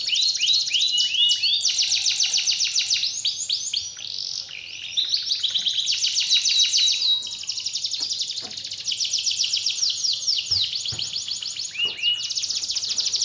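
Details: Canary song meant to provoke a lazy canary into full song; continuous high trills and rapid swoops, about three or four elements per second, with brief pauses and faint clicks.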